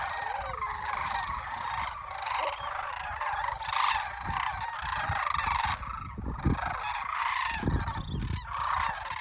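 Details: Flock of local cranes at Homer, Alaska, on 9 September 2023, restless before migration and flying up and down all morning after a coyote scattered them; loud rolling, trumpeting calls in overlapping bursts, with a gap before calling resumes.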